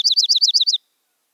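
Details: Short Dark-eyed junco chatter of six loud, clear down-slurred chips delivered quickly in under a second, then silence.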